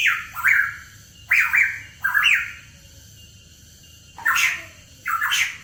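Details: Hooded pitohui in a lure recording for songbird keepers: five harsh, squawky notes, each bending up then down, arriving in uneven bursts about a second apart over quiet, faint background hiss.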